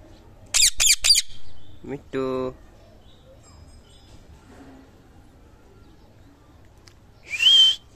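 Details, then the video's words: Indian ringneck parakeet kept as a talking pet, giving a fast run of three sharp squawks, a buzzy nasal call, then a rising harsh shriek after a pause, with a person speaking quietly nearby. "Talking parrot"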